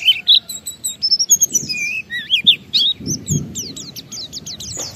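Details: Ngalas song of an Oriental white-eye, used to coax other white-eyes to sing: varied high warbled whistles and slurs, then a fast string of sharp descending chirps, with faint low thumps.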